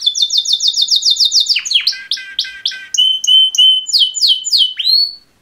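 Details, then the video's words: Two male canaries singing a mating call: a fast run of high repeated notes, then slower downward-sweeping notes and clear whistled phrases, ending in a sliding whistle. "Super Two Males Canary Mating Call Songs"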